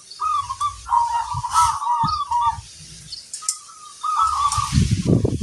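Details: Actively singing local zebra dove with a large 'kung' voice: rolling, bubbly coo phrases in short bursts, over recurring low rumbling thumps and handling noise.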